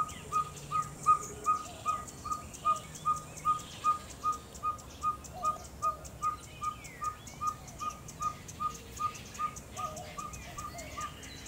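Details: In Orotina, Costa Rica, a ferruginous pygmy owl (Glaucidium brasilianum) gives a steady run of evenly spaced, single-pitched whistled hoots, roughly 150 per minute, lasting the whole stretch, over soft background birdsong and a high insect buzz.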